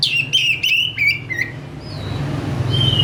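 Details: Oriental magpie-robin in lively song, quick to respond: a short run of clicky whistled notes falling to a steady tone, then fading into a quieter background hum with faint distant whistles.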